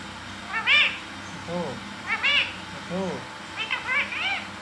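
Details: Green talking parrot repeating short, arched, nasal syllables, some in quick pairs, roughly every second, with low background hum.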